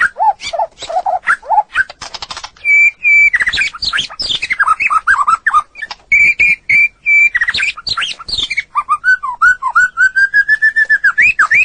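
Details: Long training recording of a white-rumped shama singing in full form: varied whistled phrases, steady level whistles repeated in pairs, dense chattering notes, and a closing run of quick evenly spaced whistled notes.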